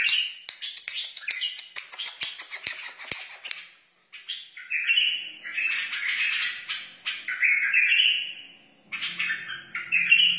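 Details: Wild white-eared bulbul song: a rapid clicking chatter, a short silence, then several long, rich, slurred warbling phrases.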